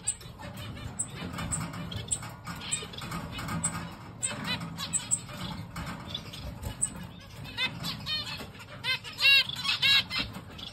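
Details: A pair of black-cheeked zebra finches give nasal, toy-trumpet beeps in quick, uneven bursts over a low background hum.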